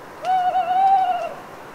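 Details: Lone owl hooting at night in a wood in the Cévennes piedmont at Les Assions, France, after a long autumn rain. One sustained, steady, mournful hoot lasts about a second over a faint hiss of dripping trees.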